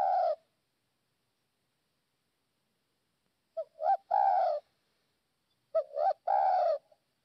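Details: Lure call of a northwest Vietnamese spotted dove: mellow, low coo phrases, each a couple of quick clipped notes leading into a drawn-out rounded croo, separated by pauses of over a second in clean silence.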